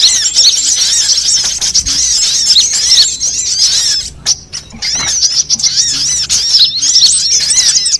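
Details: Sunbird lure sound used to attract birds for trapping, covering all kinds of sunbirds: dense, rapid, high, thin chirps and squeaky looping notes overlapping almost continuously, with a brief quieter gap around the middle.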